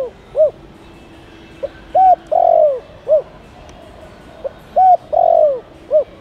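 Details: Spotted dove cooing, used to lure wild doves: repeated sets of short hollow coos ending in a longer drawn-out note, two full sequences about three seconds apart.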